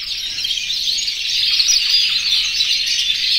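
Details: Aviary-kept canaries in breeding condition, over a hundred strong, singing to attract the female; rapid, jumbled high chirps and rolling trills overlap densely, growing slightly louder after the first second.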